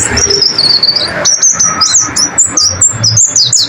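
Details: White-eye (pleci) masteran song played to caged birds: a long, thin, wavering high warble, then a burst of quick, bright chirps and twitters, with light background noise.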